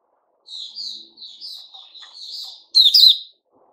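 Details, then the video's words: A Puteh Raja white-rumped shama, 29 August 2021: a long, quiet, wavering whistled warble, ending in one loud, bright burst of ringing notes. "Puteh Raja Sing Buka"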